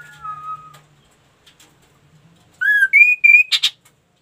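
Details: Ashy tailorbird in full song: a fading level whistle, a short gap, then loud clear whistled notes rising in steps, ending with two harsh, buzzy bursts.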